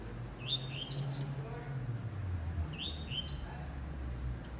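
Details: Two high, buzzy song phrases from a captive blue-black grassquit trained in the coleiro tuí-tuí style, each a quick upward note then a sizzling burst, with a low rumble of background noise.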